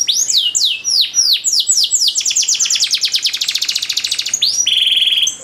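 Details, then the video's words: Ornate canary master song for training: slow descending whistles accelerate into a fast loud roll, followed by a steady lower buzzy trill at the end. "DURASI PANJANG BANGET LAGU DAN CENGKOK MEWAH, MASTERAN TOP UNTUK KENARI"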